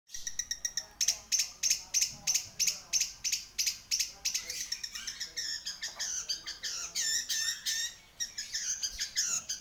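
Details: Long-tailed shrike singing actively, giving rapid, sharp, high chirps repeated about three times a second, then breaking into a jumbled run of varied, scratchy twittering notes.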